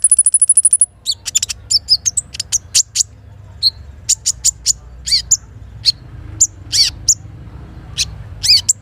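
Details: Little spiderhunter heard in the morning by a river: a rapid, level trill of very high notes, then widely spaced sharp chips and a few downslurred whistles over a continuous low water rush.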